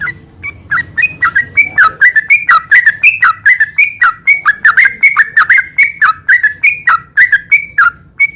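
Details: Continuous gacor garuda sambung ngeropel singing by a sooty-headed bulbul, meant to stir moulting birds into song: lively, slurred, chirping phrases repeated steadily for eight seconds without pause.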